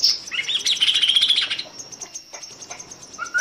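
Chestnut-capped Babbler song: a busy run of high, scratchy chattering notes, then a thin sustained whistle and a quick rising note at the end.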